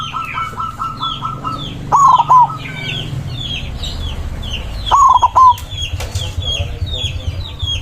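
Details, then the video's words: White zebra dove singing loudly to call rivals: two rolling, stuttered coo phrases near the same low pitch, about three seconds apart. Thin chirps from other small birds and a steady whistle-like tone sit in the background. "Perkutut putih gacor suara besar ampuh memanggil lawan bunyi emosi manggung"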